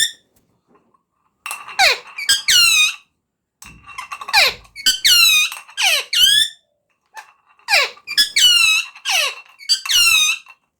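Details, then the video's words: Talking parrot producing shrill, squeaky notes with strong harmonics, mostly falling sweeps, grouped in three bursts of several calls each with pauses between. "Talking Parrot/Smart Talking Parrot"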